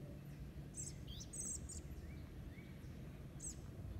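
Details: Begging from an American robin fledgling being fed by its father on a lawn, eastern North America, June 2022. Thin high squeaks in a group near the start, a soft rising whistle midway, another squeak late, all over low-pitched background hum.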